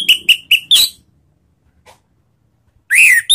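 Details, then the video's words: Orange-headed thrush lure sound in the ngeriwik style: four quick, loud whistled notes at the start, a short silence with a faint chip, then one harsh, rising-and-falling whistled phrase at the end. "Langsung GACOR ANIS MERAH manapun denger SUARA NGEPLONG ini ¦ PANCINGAN Ngeriwik"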